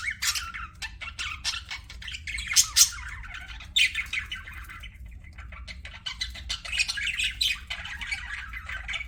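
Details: Pet budgies give sharp squawks and quick chirping bursts separated by short quieter stretches of softer twitter, over a constant low background hum.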